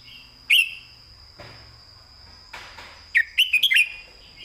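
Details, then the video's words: Caged red-whiskered bulbul giving a clear southern Thai-style master song used to train other caged birds: one loud whistled phrase, a pause with faint scratchy noise, then a quick run of four or five bright, bending whistled notes. "ครูเพลงแม่บท"ร้องชัด สำนวนใต้แม่บท นกเสียงทอง"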